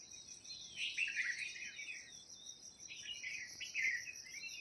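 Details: Wild birds chirping outdoors in a village in Uttarakhand: bursts of thin, twittering, high chirps in two clusters, over a steady shrill insect-like hiss throughout.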